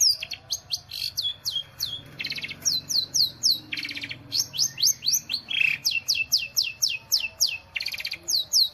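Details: Long-tailed shrike in nitik-style song: quick, evenly repeated high whistles sliding downward, about four each second, broken by short buzzy, rasping bursts.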